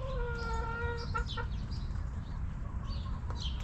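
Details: Backyard chickens at a homestead coop, with a drawn-out harmonic crow lasting about a second and then two short clipped notes, over constant low background rumble and scattered high chirps from small birds.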